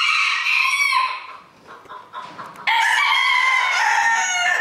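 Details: Crowing competition in Villers-la-Ville, 2022: a rooster's crow ends abruptly, and after a quieter gap with indistinct background noise, another full, loud, rasping crow begins and carries on steadily to the end.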